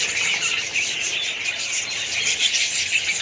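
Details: A colony of budgerigars giving a steady wash of high, squeaky chirps and warbling notes from many overlapping birds.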